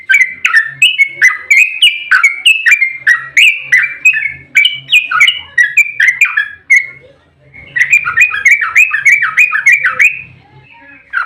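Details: Excited fighting 'ropel' song of a sooty-headed bulbul, used to draw other bulbuls into song: fast, unbroken bubbly whistling, a brief pause near the middle, then the rapid slurred notes resume.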